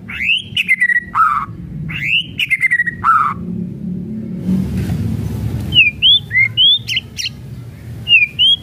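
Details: White-rumped shama kretekan lure song: upslurred whistles with falling tails repeat, then a stretch of rushing noise, then thin high whistles and clicks resume.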